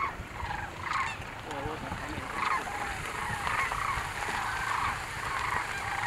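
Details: Sandhill cranes at Merced National Wildlife Refuge, California, on 5 November 2022: a flock's rolling, trumpeting calls overlapping at a distance, over steady background noise.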